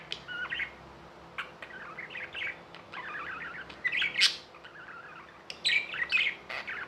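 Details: Tame budgies chirping in scattered bursts: short buzzy notes and quick warbled phrases broken by clicks and pauses, over a low constant background hum.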